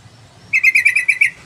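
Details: Vigorous yellow-vented bulbul song: a rapid, bubbling burst of about eight loud, throaty chirped notes, evenly spaced and lasting under a second, over quiet low hum.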